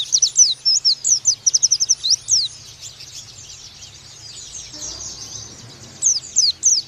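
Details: Oriental white-eye song serving as a master for young birds: a burst of quick high twittering chirps for about two seconds, then a long quiet stretch of background hiss, and a few more sharp notes at the end.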